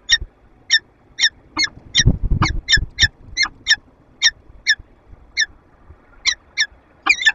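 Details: Peregrine falcons interacting in a nest box in Lublin, Poland, on 15 February 2022: a continuous string of harsh, clipped calls, about sixteen in seven seconds, with low thumping and scraping sounds midway.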